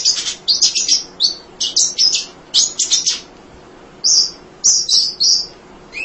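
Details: Munia singing for songbird tutoring: energetic clusters of high, rasping chirps in quick succession, a brief pause, then more bright chirp bursts.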